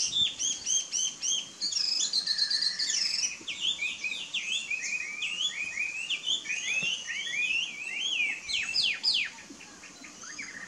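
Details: Taiwan hwamei singing a long, loud, varied phrase of rapid whistled and slurred notes, sharp up-and-down sweeps repeated in quick runs, ending in a burst of steep falling notes.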